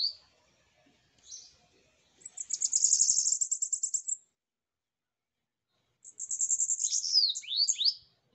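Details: Bananaquit (sibite) kept by its owner, singing while perched on his hand: two bursts of high, hissing, rapidly pulsed trill, each about two seconds long, the second ending in quick descending slurred notes, with soft chirps before.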